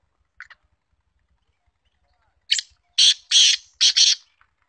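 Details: Black francolin, a trained bird described as female, gives a short harsh grating call of four loud broad bursts after a faint chirp near the start; a man's voice is heard just before.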